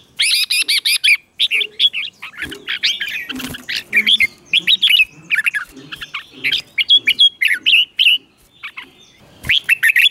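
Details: Caged red-whiskered bulbul singing the doubled (เบิ้ล) song style, played for young birds to copy: bright whistled phrases of quick rising and falling notes in bursts separated by short gaps, with faint low knocks beneath.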